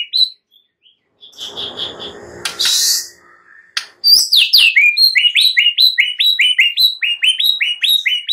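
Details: White-rumped shama song meant to get a mute bird singing in lively, combative style: opens with a few soft notes, a rustling noise and a sharp hiss, then a dense, loud run of quick repeated downslurred whistles.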